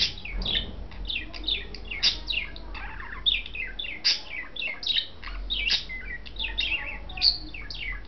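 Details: Pet budgerigar pair, a white male and a blue female, calling while mating indoors: dense, rapid chirping warble of short rising and falling notes, steady chatter throughout with brief louder peaks.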